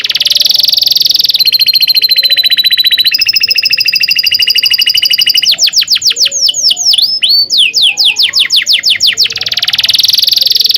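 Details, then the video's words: Canary singing a long rolling tutor song meant to teach young birds: steady buzzy rolls and sustained pure tones, then rapid descending whistled trills and sweeping notes before a final buzzy roll. "kenari gacor panjang cuit cuit ngerol ini ampuh buat PANCINGAN KENARI paud belajar bunyi"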